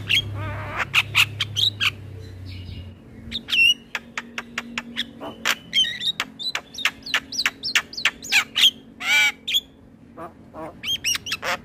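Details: Male black-winged starling, kept as a trained songbird, singing loudly as a lure song for teaching other birds: a busy mix of harsh squawks, sharp chirps and clear rising whistles, with a low hum early on.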